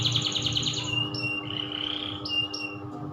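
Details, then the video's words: Canary singing in the loper style: a fast rattling trill of repeated high notes, then long steady whistled tones with brief higher whistles breaking in, over a constant low hum. "Burung kenari loper"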